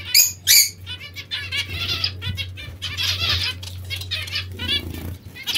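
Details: Pet zebra finches or Bengalese finches bathing. Two loud sharp chirps open, then a quick run of short buzzy nasal notes about three per second, over splashing wings and a low hum.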